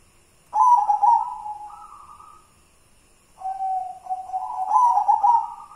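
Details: White zebra dove of local wild stock, singing two cooing phrases: a burst of rapid, rolling notes that settles into a steady, slightly rising hum, then a pause and a second, longer phrase of the same rolling pattern.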